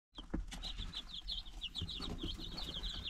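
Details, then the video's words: Nine-day-old chickens in a brooder, photographed on March 19, 2022, giving a steady stream of high, short peeps from several chicks, with scratching and soft thumps underneath. "Baby chicks DAY 9"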